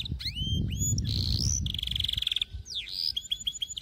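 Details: Canary song used for training young canaries to sing: a varied, bright sequence of upward-sweeping whistles, a steady rapid trill and quick rolling notes, over a low background rumble.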